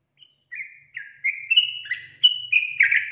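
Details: Sooty-headed bulbul lure song meant to provoke newly kept bulbuls: bright whistled notes rising in steps, each slurring down, becoming louder and more chattering toward the end, with a faint low hum underneath.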